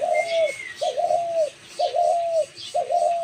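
A dove gives four soft, low, hollow coos, about one each second, each a brief wavering note. A faint thin whistle sounds near the start.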